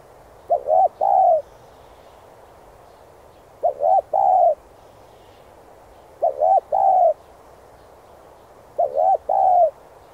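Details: Spotted dove cooing in an urging voice to rouse and train decoy birds: four three-part coos, each two short notes and then a longer, level, mellow note, repeated about every two and a half seconds over quiet background.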